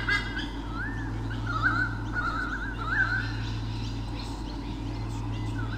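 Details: White-bellied sea eagle pair, male and female, guarding territory against swooping currawongs at Sydney Olympic Park, Australia, in 2013, nest camera: a few honking, wavering notes in the first three seconds, then quieter, with a constant low electrical hum.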